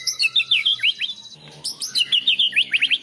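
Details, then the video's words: National champion white-rumped shama delivering fill-in song borrowed from cilalilin, canary and lovebird. Very rapid, even string of high chirps and upswept notes, about three per second, briefly dipping after one second before resuming. "Suara Murai Batu Juara Nasional Untuk Masteran & Terapi Burung Drop Mental"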